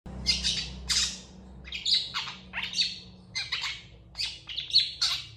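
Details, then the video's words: Long-tailed shrike in full, lively song, responding quickly to other shrikes: harsh, scratchy bursts with sharp high notes in irregular phrases about every half second, over a low steady hum. "CENDET FULL TEMBAKAN PANJANG . . PENTET GACOR DOR FULL EMOSI CEPAT DI RESPON CENDET LAIN"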